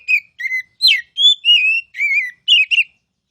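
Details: Oriental magpie-robin (kacer) in loud ngeplong song: about eight separate clear whistles, some level, some wavering or sharply rising, spaced roughly every third of a second.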